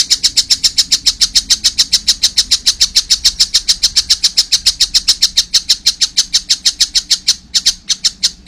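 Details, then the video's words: Collared kingfisher chick delivers a long unbroken run of strident, evenly spaced kek notes, about three and a half per second, briefly faltering near the end. "wow masih kecil udah gacor , anakan burung tengkek buto"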